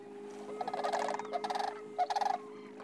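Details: Sandhill cranes gathered at a spring migration roost on Nebraska's Platte River, Rowe Sanctuary, in March: a chorus of trilled, rattling calls in quick pulsed runs, several birds overlapping, with a steady music drone beneath.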